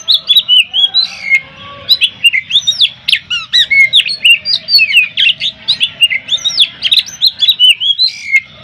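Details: Oriental magpie-robin in a nonstop, judge-selected contest performance meant to enrage rival birds: an energetic torrent of harsh chirps and looping whistled slurs, several notes each second, hardly pausing throughout.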